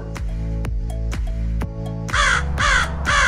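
A crow gives three harsh, grating caws in quick succession, about a third of a second apart, over steady music with drum beats.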